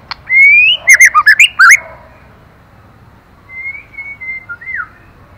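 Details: Female white-rumped shama singing to stimulate the male: a long rising whistle, then a fast burst of loud, rich, warbling notes, followed by softer distant whistled phrases.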